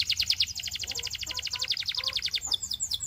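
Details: Belgian canary delivering a long fast rolling trill of pulsed high notes, then a brief burst of jumbled chirps at the end.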